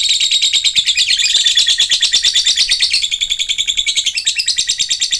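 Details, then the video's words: Lovebird giving a long ngekek song, a high rapid chattering trill of sharp repeated notes, about three per second-level pulses blurring into a continuous buzzy stream, steady and unbroken, used to prompt a silent lovebird to sing again. "ngetik ngekek panjang jadikan Lovebird macet aktif ngekek lagi"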